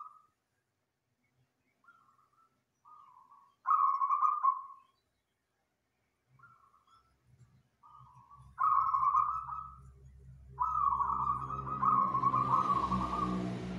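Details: Local wild zebra dove singing loudly and densely, used as master song to train other birds: trilled cooing notes near one pitch, short phrases then longer ones, with low rumbling noise building toward the end.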